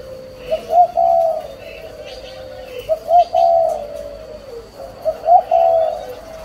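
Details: Spotted dove pair cooing in three evenly spaced phrases, each opening with two quick soft notes and ending in a longer mellow coo, with a faint background hum.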